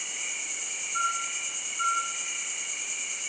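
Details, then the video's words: Mountain scops owl at Lansdowne, Uttarakhand: two short, pure whistled notes at steady pitch, under a second apart, over a loud, continuous high cricket and insect chorus. "Mountain Scops Owl"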